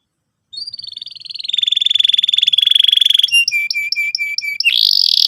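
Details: Canary singing as a lure to get another bird rolling. A high note slides into a long steady rolling trill, then clear metallic notes repeat evenly about twice a second, ending in a higher buzzy roll.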